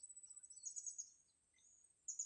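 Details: Blue-crowned hanging parrot, a bird kept for trapping wild birds: thin, very high squeaky chirps in quick bursts, a pause, then a short final burst, over a steady high-pitched whine.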